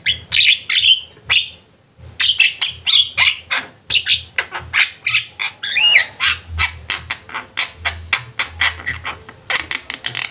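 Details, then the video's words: A lively flock of Javan mynas, recorded as a training track for birds, keeps up a dense stream of harsh, grating squawks and short rasping calls, with one brief pause early on and a low background drone. "Jalak ombyokan gacor, cocok buat masteran"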